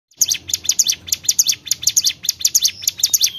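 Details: Bar-winged prinia singing lively, a fast string of high, sharp double-peaked chirps repeated almost twice a second against a quiet background.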